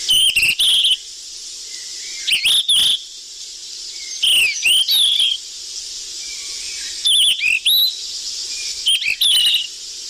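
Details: Golden flycatcher (sikatan emas) lure call, used to attract wild birds: busy bursts of high, sharp whistles and clicks sweeping up and down, in clusters every two to three seconds over a steady hiss.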